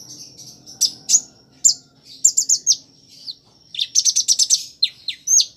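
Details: Kolibri Ninja in captivity singing a mimicry-filled song of prinia, sparrow and chick calls; scattered bright chips, then a rapid burst of sharp ticks and several quick downslurred notes, all very high and thin.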